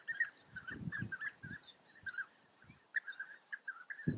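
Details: European bee-eaters calling in a steady series of short, rolling, mid-pitched notes, several birds overlapping, with soft low thumps and handling noise between calls.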